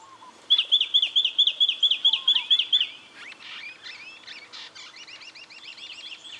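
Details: Brown treecreeper recorded in Victoria, Australia, in October 2011, giving a loud, rapid series of about ten sharp, ringing, downslurred notes, followed by softer, fainter twittering and chattering notes.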